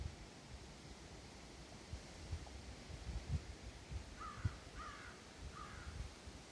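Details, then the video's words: Crow calling near the Sauble River on July 25, 2022: three harsh, short caws roughly a second apart in the latter half, over steady low wind rumble and rustling. "crow making noise"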